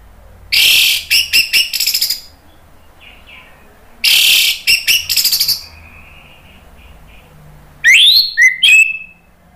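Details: Anis merah, the orange-headed thrush, singing as a lure to stir birds into replying. Three harsh, scratchy phrases, each a rapid sequence of broadband bursts, with a thinner whistled ending on the last, about four seconds apart.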